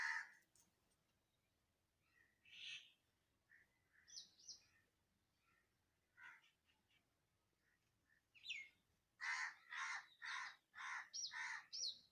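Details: Birds in Andhra Pradesh, India: sparse harsh notes early, then a loud series of rhythmic rasping calls repeated roughly every half second.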